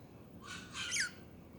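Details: Budgie giving a soft scratchy note followed by a louder downward-sliding squawk, with steady background hiss.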